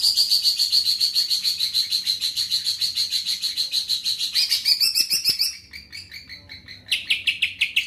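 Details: Greater green leafbird song with long rapid bursts: a steady fast-repeated rattling series of high notes for about five seconds, then softer chatter and a final burst of quick repeated notes.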